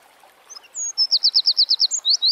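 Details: Eurasian wren singing outdoors: faint thin notes lead into a quick, even string of about ten loud, high, sharply repeated chips, with a brief whistle near the end.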